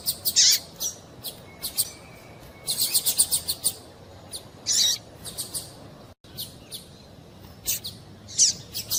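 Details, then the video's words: Female double-collared seedeater call used to rouse a male to sing: bursts of rapid, thin high chirps mixed with louder single buzzy notes, irregular spacing, a brief dropout midway, low background hiss. "Piado de Fêmea de Coleiro para Esquentar Coleiro"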